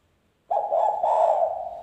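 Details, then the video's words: Spotted dove lure call used to attract wild birds: one steady, sustained low coo, beginning abruptly after a short silence and holding an even pitch with slight wavering to the end. "panggilan derkuku super gacor suara NGALAS,cocok buat pancingan derkuku"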